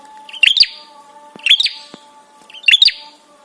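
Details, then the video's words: Prinia calling in the 'trapi' style to provoke a reply and arousal in other birds: three bright, high chirp bursts with crackling overtones, spaced about a second apart, over faint background hum. "SUARA TRAPI PRENJAK SEKETIKA BIKIN EMOSI DAN BIRAHI"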